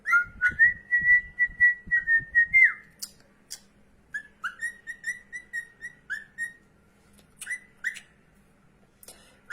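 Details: A pet cockatiel that follows its owner around the house gives clear whistled notes, first drawn out, then a quick run of short repeated chirps.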